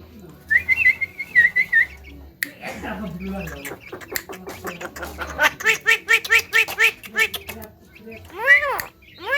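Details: Javan myna, a bird said to be able to talk and to outdo a hill myna with its voice: a wavering whistle near the start, then a rapid run of harsh, stacked, speech-like syllables and a final rising-falling squawk.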